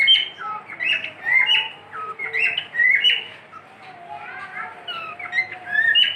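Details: Cockatiel kept as a pet whistles a run of sharp chirpy notes, followed by softer drawn-out tones and more whistled phrases.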